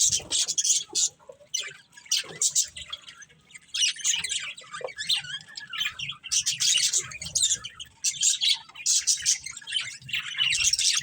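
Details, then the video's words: A breeding pair of budgerigars gives repeated bursts of rapid, scratchy chirping and chatter, each lasting about a second, separated by brief quieter gaps. "Beautiful Budgies Chirping Sounds"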